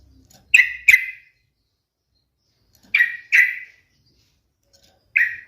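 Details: Yellow-vented bulbul giving separate short, sharp chirped notes, mostly in pairs spaced a couple of seconds apart, with a faint low rumble at the start.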